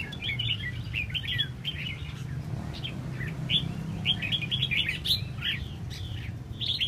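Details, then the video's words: Tail-fanning red-whiskered bulbul: short whistled phrases, slurred up and down, in quick bursts over a constant low rumble. "Chao mao xoe duoi"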